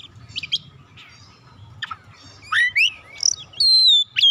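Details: Oriental magpie-robin song used to set silent birds singing: soft chips at first, then loud rising and falling whistles and a long clear held note near the end, over a low hum.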